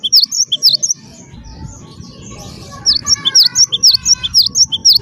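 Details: Gelatik batu wingko, a Java sparrow song used to prompt other birds to sing: a short burst of high ringing chirps, a quieter pause with faint tones, then a longer run of quick sharp notes about twice a second.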